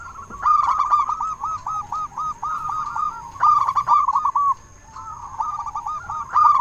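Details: Strong-voiced local zebra dove with a long rolling coo made of rapid repeated pulses, broken by sharp note bursts, then a brief quiet gap before the song resumes; meant to make lazy doves sing.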